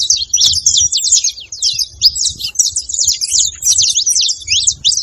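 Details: Continuous high, bright chattering song of saffron finches used to stimulate a silent canary, with rapid chips and short sweeping whistles packed closely together, with a soft low rumble beneath.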